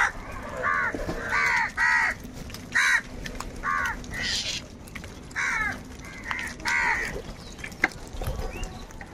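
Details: Several crows squabbling over food; loud, hoarse caws given singly and in pairs at irregular intervals, with clicks and background noise between calls.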